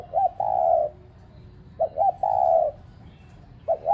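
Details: Caged spotted dove used as a decoy to excite pet doves, cooing in a steady pattern: two short knocking notes, then a sustained mellow coo sliding lower. The phrase is repeated with quiet gaps between.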